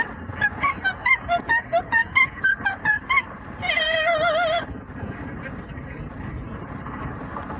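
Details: Yellow-naped amazon parrot, a pet riding along on a commute, gives a rapid series of about a dozen short clipped notes, then one long trembling operatic note, over continuous low traffic noise.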